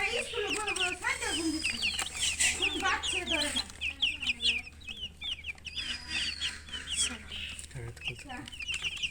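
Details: Chickens chirping in quick, high, repeated peeps, about two per second, overlapping in a busy chattering run, with a few lower clucking notes underneath.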